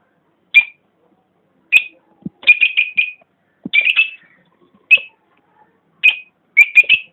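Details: African lovebird of mauve and pale green colouring: short sharp high chirps, given singly or in quick clusters of three or four, with pauses between, and a few low clicks in a quiet setting.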